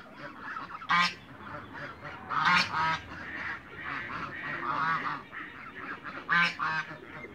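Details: African geese, mature and young, in a farm backyard in Greece: a few loud, harsh honks stand out above a background of softer, overlapping goose calls.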